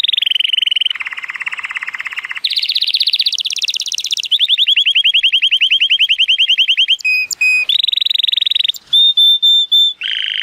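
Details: A male Timbrado Español canary, born 2018 and rated 83 points, sings on a sunny day: loud, high tours of rapid metallic rolls and trills, a long bubbling pulsed phrase, then clear piping notes, each tour changing pitch.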